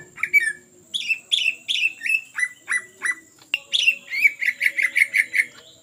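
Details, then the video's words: Lure song from a greater green leafbird in ngetrok style: a string of descending two-part notes about every half second, a click, then a rapid run of around eight bright repeated notes. "CUCAK IJO GACOR Ngetrok Cocok Untuk Pancingan"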